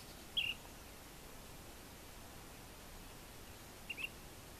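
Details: An Ash-throated Flycatcher in Florida Canyon on 30 March 2015 gives two short, burry calls about three and a half seconds apart over a quiet, faintly hissing background.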